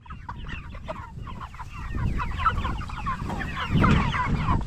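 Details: Jumbo Cornish Cross broiler chickens, 44 days old, raised for meat, giving a flock chorus of short rising peeps and clucks that overlap rapidly, growing louder toward the end, with low rumbling background noise.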